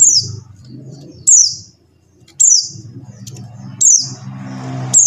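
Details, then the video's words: Call of the buxtoni white-eye, used to spur silent white-eyes to sing: shrill, falling high notes about every 1.3 seconds, with faint twitters and a low murmuring background. "suara CALL PLECI BUXTONI | untuk pancingan PLECI MACET BUNYI"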